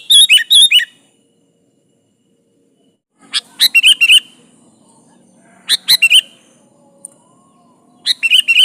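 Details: Sooty-headed bulbul, kutilang gacor, used to call a rival: short bubbly phrases of bright chirps spaced by silent gaps, with a faint background hum.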